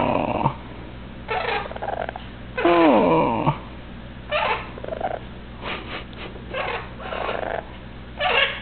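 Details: Indoor pet Eleonora cockatoo, a male, talking and whistling: a long, harsh, harmonic squawk falling in pitch, followed by a series of short raspy bursts about a second apart.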